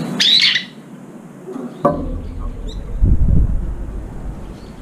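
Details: Brown-eared bulbuls crowding late to an almost empty feeding bowl, jostling and fighting for the last food; one loud, harsh screeching call near the start, then a short sharper burst, with low thumping and rustling below.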